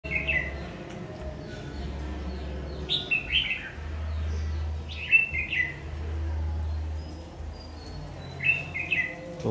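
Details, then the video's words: Red-whiskered bulbul of the 'má lỡ' type, noted for a very fierce voice, singing during bird trapping with a decoy on 22 August 2019. Short bright warbled phrases come in three bursts, over a steady low engine-like hum. "Bẫy chào mào Má lỡ giọng cực gắt"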